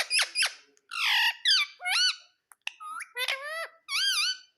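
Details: Pet ring-necked parakeet indoors giving a rapid run of harsh squawks and bright, bending, harmonic-rich shrieks with short pauses between.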